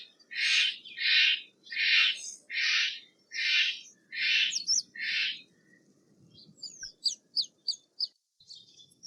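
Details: Steller's jay giving seven loud, harsh, rasping shack notes in an even series about one every two-thirds of a second, followed by a quick run of thin, high chipping notes.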